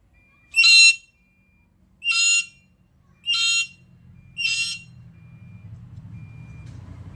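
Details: Black-capped lory in active voice, giving four grating, raspy screeches spaced roughly one and a half seconds apart, followed by a swelling low rumbling background noise.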